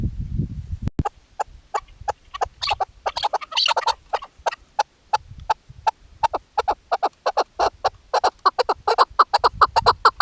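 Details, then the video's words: Female chukar partridge used for hunting, heard in hunting season: a low rumble and sharp knock open, then short chuk notes speed up into a dense, fast series, with bursts of harsher notes mid-way. "shikari chakor ki awaz keklik sesi hunting season dasi madi awaz bast female sound"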